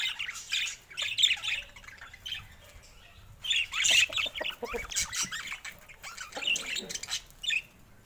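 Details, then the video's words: Flock of colorful budgerigars showing rare mutations, babies included, kept as pets: rolling bouts of scratchy warbled chatter swell and fade repeatedly, with brief quieter gaps between the louder stretches. "Colorful Budgies Rare Mutations Bird Sounds"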